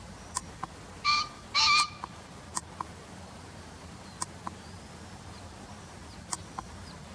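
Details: Green pheasant heard in a field-guide recording: two harsh, loud, ringing notes, the second longer, followed by sparse sharp clicks and faint distant bird chirps.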